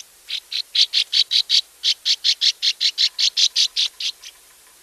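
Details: Soft, slightly rising liquid chirps of a Northern Rough-winged Swallow, repeated about two to three times a second in a long, fairly even series of some eighteen notes with one brief gap; background quiet.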